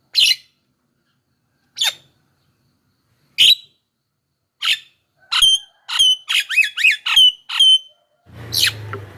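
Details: Javan myna song used to lure wild mynas: isolated sharp calls over a second apart, then a quick run of twisting whistled notes and a final noisy burst.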